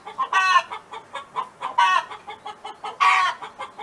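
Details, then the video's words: Hen singing at a farm: three long, raspy, harmonic squawks interleaved with brief, evenly spaced soft clucks. "Chicken Hen Sound Effect [Audio]"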